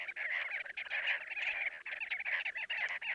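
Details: A flock of chestnut-bellied sandgrouse (Pterocles exustus) in Jeddah, Makkah Region, Saudi Arabia keeps up a dense, guttural chatter of overlapping throaty, croaking notes with hardly a pause.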